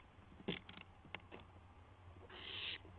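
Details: Barn owl owlet testing its wings, nest camera, 12:06 AM, April 12, 2016; a few sharp clicks and taps, then one rasping hiss of about half a second.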